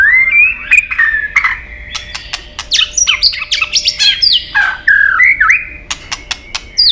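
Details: White-rumped shama singing in competition style with long forest-type phrases: clear whistled notes around a steady mid pitch, mixed with rapid harsh clicks and sweeping slurred phrases, varied and continuous.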